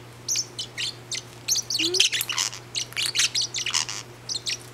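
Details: Pet parrot calling angrily indoors, upset because its owner is touching another parrot; short bursts of harsh, high chirps and squawks come in quick clusters, roughly two or three per second, over a steady low electrical hum.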